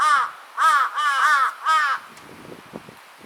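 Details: A Large-billed Crow, one of two crows, gives a quick threatening run of four or five harsh, nasal caws in under two seconds, then only faint rustling and soft background noise.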